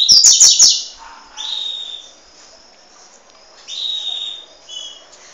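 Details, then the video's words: High-pitched calls of a juvenile double-collared seedeater in Peruíbe, Brazil: a sharp burst of clicks opens, then level buzzy notes repeated about every two seconds and a brief doubled chirp. "coleirinha filhote peruibe"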